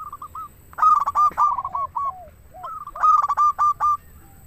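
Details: Local zebra dove singing actively, used to lure doves or prompt quiet ones to sing: two clear stuttering cooed phrases, a rapid run of short notes near one pitch, with softer cooing slurs in between.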